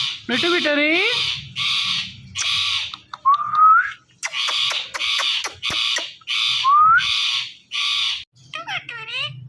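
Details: An Indian ringneck parrot calling "Mithu" gives loud, raspy screeches again and again. These are mixed with two short rising whistles and a few tonal, voice-like notes.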